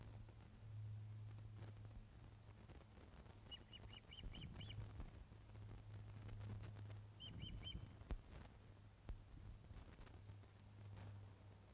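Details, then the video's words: Osprey nest at Loch of the Lowes, Scotland, webcam sound from 21 August 2012, 16:35, fish delivery: two short clusters of thin chipping whistles over a constant low electrical hum and rumble. "Loch of the Lowes Ospreys 21 August 2012 16.35hrs - Fish Delivery"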